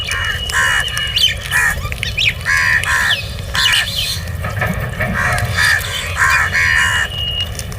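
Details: Crows calling while being fed: harsh, nasal caws in quick bursts, several overlapping with one another, over a steady low hum and faint chirps from other birds.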